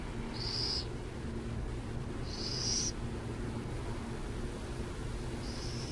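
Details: Burrowing owl in San Jose giving short, hissy high rasps, each about half a second, three times at roughly two-and-a-half-second intervals over a steady low traffic rumble.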